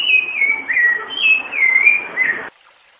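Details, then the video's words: Rufous-bellied thrush singing a quick run of clear, mellow whistled phrases, each sliding up and down, about five notes in two and a half seconds; said to include a female's call. "Sabiá Larangeira Piedade Canto puro"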